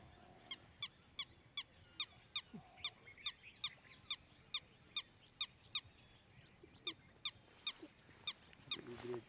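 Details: Striated Heron at Ranthambore National Park, India, in November 2023, giving a steady series of short, harsh, nasal notes, about two per second, with faint other bird notes and a brief rustle at the end.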